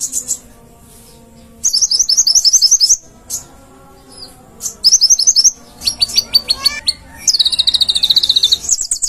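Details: Konin in full song for training cage birds: fast, high, chattering trills in bursts several seconds apart, then a varied sequence of sharp notes and a long run of rapid buzzy chirps.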